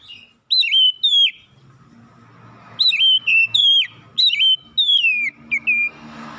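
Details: Oriental magpie-robin in morning song, a run of loud whistled notes in groups of two and three, each a sharp rise and falling slide, ending in short clipped whistles and some noise.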